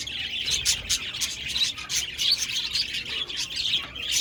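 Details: Budgies chattering on 1 November 2023, a busy mix of high warbled chirps, short squeaks and scratchy clicks overlapping without break through the whole short stretch, suggesting a group calling together.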